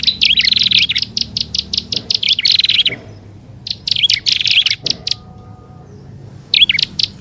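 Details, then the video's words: Prinia lure sound combining several prinias, including the grass prinia type: bursts of sharp, high chirps with quick rising and falling notes, separated by short silent gaps, with a faint low hum underneath. "SUARA PIKAT BURUNG PRENJAK ALANG ALANG+PRENJAK ATAS DAN BAWAH"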